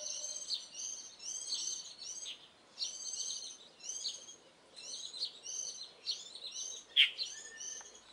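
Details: Warbling white-eyes singing at dawn in mid-April 2012: rapid, high-pitched twittering phrases repeated every second or so, one sharp loud note late on, then a thin drawn-out whistle.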